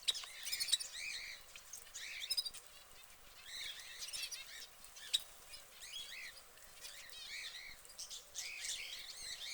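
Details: Orange canary kept in a cage, giving dense bursts of high, bright chirps and warbled trills, with short pauses between phrases and a steady faint background hiss.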